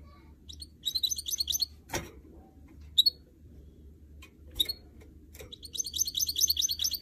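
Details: Hybrid canary-goldfinch mule singing short, high, jangling phrases, interrupted by sharp clicks and taps, then resuming with a lively rapid twitter.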